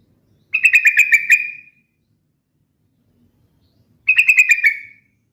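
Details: Yellow-vented bulbul (trucukan) repeats the same rippling phrase of about six fast liquid notes twice, roughly three and a half seconds apart, in near silence.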